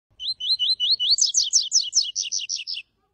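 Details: A double-collared seedeater gives its tui-tui song type: a bright, high song of five quick rising slurred whistles, then a faster run of sharp, buzzy down-slurred notes, all within about three seconds.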